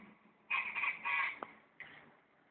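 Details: Guacharaca giving a brief harsh, grating call of three rasping notes close together, followed by a fainter single note after a short gap.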